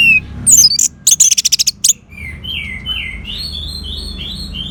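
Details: Orange-headed thrush used as a song lure for caged birds: a sharp high note, then a rapid burst of repeated loud chirps, followed by softer, varied, slurred whistles in a quieter run.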